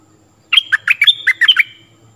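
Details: A short, crisp burst of Stripe-throated bulbul song, played to train young birds and attract wild ones: six quick whistled notes, each sliding from high to lower, over faint low hum.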